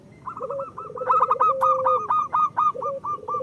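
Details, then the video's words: Zebra dove (perkutut lokal) singing to prompt lazy birds into song: a purring, rolling coo, a low trilled note running into a series of quick repeated hooting notes, with a fainter second dove cooing alongside. "Perkutut lokal gacor Masteran Perkutut Suara Kristal"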